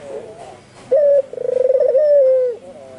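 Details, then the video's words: One full coo from a vigorously calling albino Barbary dove: soft murmuring notes, then a sharp bright note, a rapid throbbing roll and a long steady tone falling away at the end. "SUARA BURUNG PUTER PUTIH ALBINO FULL GACOR - NGEGAS SAMPE GLAGEPAN"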